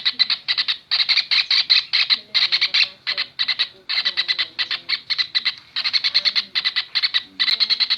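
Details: Kingfisher voice on a masteran track for cage birds: rasping notes delivered in clusters of three to six, with short gaps between clusters, and faint sounds in the background.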